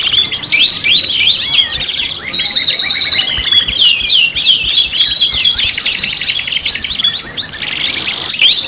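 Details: Canary five-in-one lure song: long, dense run of swooping whistles, rapid rattling trills and chirps, ending on a softer stretch of twittering.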